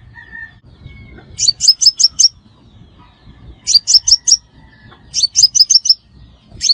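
A Crimson Sunbird gives quick bursts of five or six sharp, high, ticking chips, repeated about every two seconds. A faint lower whistle is heard near the start.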